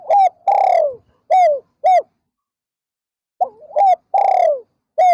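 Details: Spotted dove kept as a decoy to lure wild doves during an afternoon perching session, giving clear, hollow coos: short clipped notes mixed with longer, drawn-out falling coos, in two bursts separated by a silent gap.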